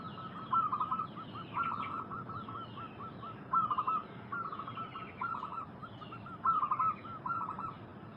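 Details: Local zebra doves sing more distantly on a lure recording meant to make wild doves answer. Short rolling coo phrases repeat every second or two over a steady background hiss.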